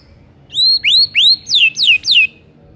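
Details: White-rumped shama song used as a lure to make silent shamas sing: a long rising whistle then a series of loud, sweeping whistled notes, each rising then falling, about five in quick succession.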